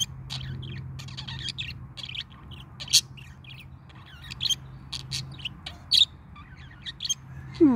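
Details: A parakeet's morning song: scattered high chirps, clicks and short warbles at an uneven pace over a steady low household hum, a person's voice starting at the end.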